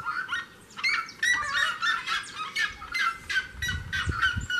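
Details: A seriema sings close to a house door, giving a series of harsh, honking yelps with rich harmonics in uneven bursts, some notes clipped and overlapping, over faint low rumbling background noise.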